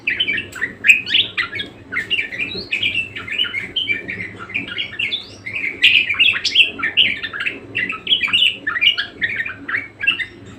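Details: Budgerigar in energetic song: a busy, unbroken warble of rapid chirps, squeaks and scratchy notes, varying constantly in pitch.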